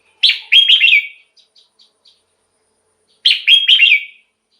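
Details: Red-whiskered bulbul song for exciting caged birds: two loud, bubbly whistled phrases about three seconds apart, with a few soft clicking notes in between.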